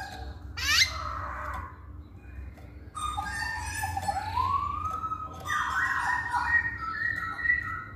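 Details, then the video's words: Masked laughingthrush song used as a lure to get males singing: loud rich whistled phrases, some sliding upward, with a sharp rising note early on, several overlapping voices and a low background hum. "Poksay Hongkong Jantan Manapun Pasti Nyaut Saat Dengar Pancingan ini"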